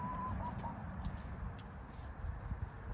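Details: Dorking chickens in a flock: three brief, thin tonal notes at the start, each dipping slightly in pitch and growing shorter, then quiet, over a steady low rumbling background.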